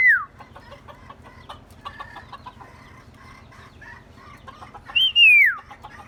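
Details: Myna, said to make many sounds and to learn human voices, gives loud downslurred whistles at the start and again near five seconds, with soft chattering harmonic notes between them over a low steady hum.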